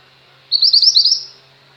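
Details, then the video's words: A single loud phrase from a chattering female Mountain White-eye, used as tutor song for captive white-eyes. Quick high twittered notes run together for under a second over a faint steady low hum. "mantenan gunung betina gacor, cocok untuk masteran burung pleci anda."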